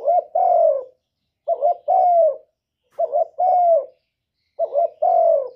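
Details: Cock spotted dove cooing to stimulate a female to lay eggs. Four phrases come about every one and a half seconds, each a quick doubled throaty note followed by a long, smooth, gently falling coo.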